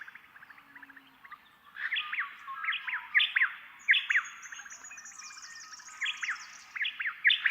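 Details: White-eared honeyeater (Nesoptilotis leucotis) dawn song in spring–summer: two birds counter-sing, precisely alternating the same sharp, ringing phrase about four notes a second over a soft dawn chorus; this phrase is unique to the dawn chorus.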